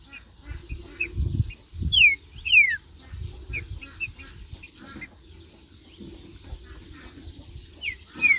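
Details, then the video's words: Captive Green-winged Saltator (trinca-ferro) singing and giving marching calls: loud, clear whistles sliding downward, in short bursts a second or so apart, over a steady hiss and soft low thumps. "Trinca-Ferro Marcheando e Cantando"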